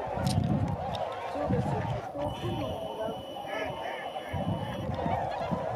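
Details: Many tundra swans calling in flight at Sakata, Japan, on 3 November 2018; overlapping honks form a steady chorus, while bursts of low wind rumble come and go.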